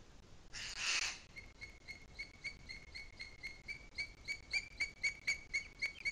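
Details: Booted eagle calling in the Sierra de Guadarrama on 2 July 2021 at 17:53: after a short rush of noise, a steady, rhythmic run of bright whistled notes, about four per second, growing louder.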